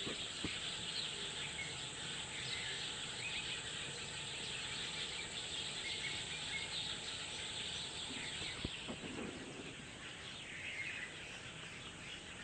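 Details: Birds chirping in the early morning at Painda Khel in Karak, Khyber Pakhtunkhwa, Pakistan: a continuous wash of thin, high twittering from many birds, with a brief sharp click midway, over constant rural background hiss.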